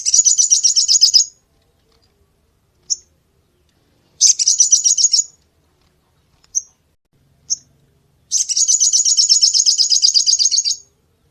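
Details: Crested jay in full song, recorded as a tutor for cage songbirds: three fast high rattles, the last nearly three seconds long, separated by short single chips; background otherwise silent.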